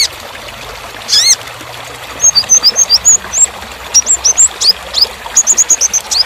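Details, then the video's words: Sunbird (kolibri ninja) song for training other songbirds: one arched harmonic chirp, then long rapid series of thin, very high twittering notes, some rising, some falling, delivered in quick clusters. "KONIN (Kolibri Ninja) Masteran Full Materi Mewah Isian Rapat Panjang"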